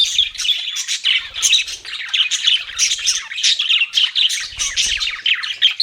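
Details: Continuous bright chirping of pet budgerigars, dense rapid twitters and scratchy warbles in pulsing bursts, with faint low thumps now and then.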